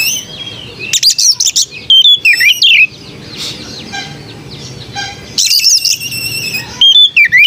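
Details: White-rumped shama singing a varied song of bright whistled notes, sweeping slurs and dense chattering bursts in short phrases separated by pauses, with faint background hiss.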